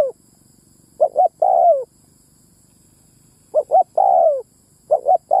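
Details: Spotted dove lure call meant to bring in males and females: sparse phrases with a long pause between, each a pair of short coos and a drawn-out falling coo, the last one cut short.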